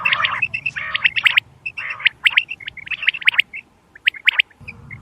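Quail give sharp, high chirps and squeaky notes in quick, irregular bursts, about one a second, with overlapping callers. A low rumble comes in at the start and end.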